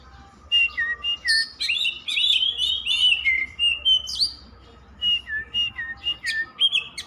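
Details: Oriental magpie-robin (kacer) pouring out an unbroken varied song of warbled whistles, sharp chips and rising slurs, phrases tumbling together with barely a pause.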